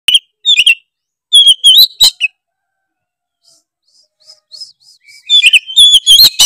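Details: Oriental magpie-robin singing in the loud, open gacor ngeplong style said to rile other magpie-robins: bursts of high, sliding whistled notes and sharp chips, separated by a pause of near silence with faint twitters.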